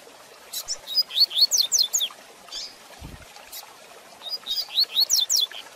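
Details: Rusty-collared seedeater repeating its fast Tui Tui Zel Zel de Fibra training song for young birds: two rapid phrases of about six bright rising whistles each, separated by a pause with clicks and a low thud.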